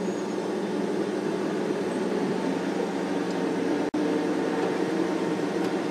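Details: No animal heard, only a steady vehicle engine drone throughout, broken by a brief dropout near four seconds.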